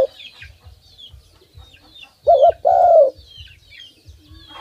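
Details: A single coo phrase from a hand-fed tame dove: a brief wavering double note, then a sustained low hoot sliding downward, among soft high chirps and faint low thumps.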